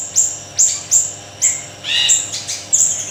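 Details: Siri-siri kecil in lively song, presented as a tutor recording: high sharp chirps spaced roughly every half second, with one fuller, richer phrase in the middle, quiet hum beneath.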